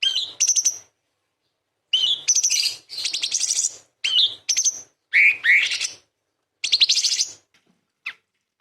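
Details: Cream-vented Bulbul, known locally as kapas tembak, singing a varied song used as tutor material for other songbirds: short bursts of sharp, buzzy, high notes and quick whistled slurs separated by brief pauses.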